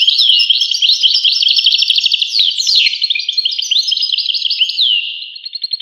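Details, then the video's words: Goldfinch song: a continuous, fast tumble of liquid twitters, buzzy trills and sliding whistled notes, with one bright downward swoop midway, ending in short repeated chips. "voice carduelis- Tweets the birds. Tones a bird Goldfinch. voice goldfinch-"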